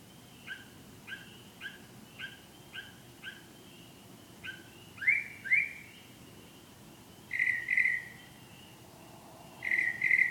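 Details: A bird singing at night: a rapid even run of short two-part notes, then louder sweeping whistles and paired chirps, with faint hum behind.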